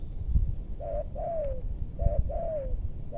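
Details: Spotted dove in west Bogor, Indonesia, heard during trapping in maranti woodland targeting big-voiced birds; a short hollow coo followed by a longer coo gliding down, pattern given twice, with low rumbling background noise.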